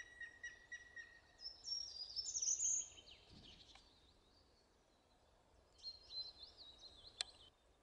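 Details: Short-toed Treecreeper in Zabrzeg, Poland, in April 2018, giving thin, very high-pitched notes in two brief bursts a few seconds apart, with a faint outdoor hiss and a Grey-headed Woodpecker calling in the background.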